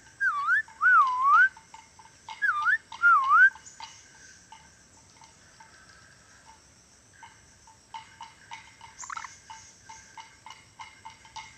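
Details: A tame ornate lorikeet from Sulawesi, able to talk and whistle, gives four loud, clear whistles that swoop up and down in the first few seconds, then softer chattering and clicks.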